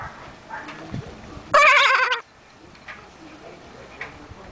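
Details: Common myna imitating human speech on an island, where it is said to be the only talking one. A single loud, wavering, voice-like harmonic utterance lasting under a second stands out against quiet background noise.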